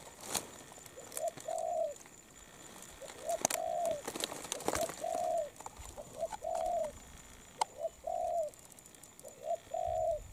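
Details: Spotted dove cooing while moulting: short paired coos, a brief note followed by a longer level coo, repeated every one to two seconds, with scattered clicks and rustles in the background.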